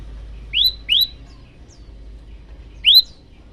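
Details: A male olive-backed tailorbird calling for a female gives two quick upswept whistled chirps, then a third after a two-second pause, in a quiet setting.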